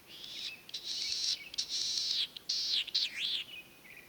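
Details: Latham's snipe, a migrant that arrives in spring to breed, calling from hiding in the Senjogahara marsh, Oku-Nikko, Japan, on 9 May 2020: harsh, buzzy, high rasping notes in bursts, ending in a few wavering squeaky phrases.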